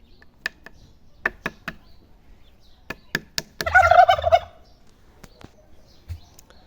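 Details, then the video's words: Domestic turkey answering a small noise with a gobble, a burst of rapid rattling notes lasting under a second, set among scattered clicks and knocks in a quiet yard. "একটু আওয়াজ করলে অন্যরকম শব্দ করে।"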